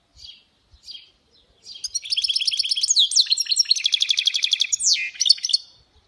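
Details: A goldfinch hybrid (mule) gives two quiet chirps, then launches into a loud, sustained, rapid song of rattling repeated notes, buzzy trills and swooping whistles lasting about four seconds.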